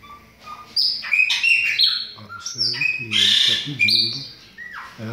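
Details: Caged chopi blackbirds nearing their ovulation and breeding period give a dense chorus of sliding whistles and sharp chirps, with a man's voice talking underneath.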